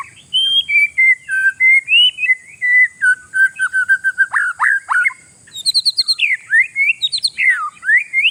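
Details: Oriental magpie-robin (kacer), a territorial bird, singing a song meant to unsettle rival birds: varied clear whistled notes, some rising, some falling, then a quick burst of short downslurred notes and sharp high chirps, over a steady high-pitched electronic whine.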